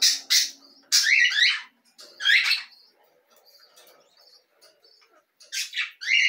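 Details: Belgian canary giving short bursts of harsh, chirpy notes, some sweeping downward, in three loud groups separated by quieter pauses with faint soft twittering.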